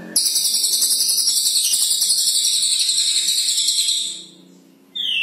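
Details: Brown cililin singing persistently, unprompted: a dense, continuous high shimmering trill with rapid jingling pulses, held for about four seconds before fading, then a sharp descending note at the end.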